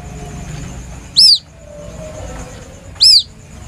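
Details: White-breasted waterhen chick, its plaintive call used as a lure: two loud, shrill, arched peeps nearly two seconds apart over a quiet, low hum.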